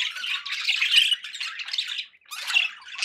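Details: Pet budgerigars chattering in a busy warble of buzzy squawks and chirps, with a short pause near two seconds before the twittering resumes.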